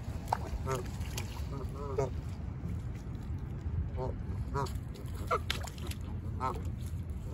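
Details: Canada geese on the autumn shore of Lake Ontario at Humber Bay Park, Toronto, giving scattered nasal honks every second or so over steady low rumbling wind and water noise.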